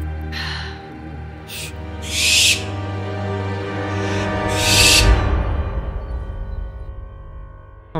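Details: Barn owl (Tyto alba) gives harsh, hissing screeches, each about half a second long and several seconds apart, heard near an old castle in misty Britain, over eerie background music.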